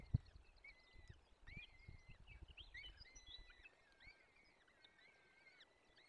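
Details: Peregrine falcon chicks being fed at a forest nest in the Barycz Valley, Poland, 17 April 2024: a scatter of short, overlapping, bending whiny notes, some rising and some falling, over a low rumbling background with a sharp knock near the start.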